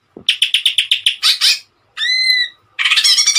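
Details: Greater green leafbird song, presented as a tutor recording for training other birds: a fast run of clipped repeated notes, a buzzy flourish, then a pure ringing whistle held steady, followed by a bright rapid trill.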